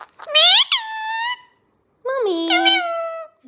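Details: Indian ringneck parakeet kept as a pet, talking indoors: two harsh, nasal, voice-like utterances, the first rising then holding, the second a longer flat drawn-out phrase, separated by a short pause.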